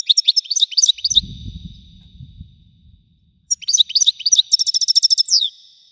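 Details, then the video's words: European goldfinch, Widani song type: brisk high twittering phrases, a low rumble during a pause, then more twitters running into a dense, buzzy rattling trill that ends in a slurred note. "حسون ويداني حصري صوت مزلزل"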